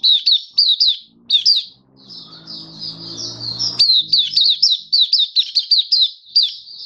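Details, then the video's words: Oriental white-eye (mata puteh, Kitaro type) kept as a caged songbird, recorded during a song display booster test in October 2022: bursts of sharp high twitters, a thin sustained warble over low rumbling noise, then rapid repeated chirps. "Mata Puteh Kitaro Buka Sing"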